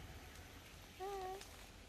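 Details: A pet Eleonora cockatoo (Cacatua galerita eleonora) says "hello": one short, clear, slightly rising tonal word lasting under half a second, over a soft hiss like light rain.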